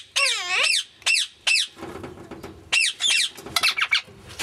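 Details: Grey Indian ringneck parakeet talking indoors, uttering bursts of high, squeaky word-like syllables with sweeping pitch, separated by short pauses.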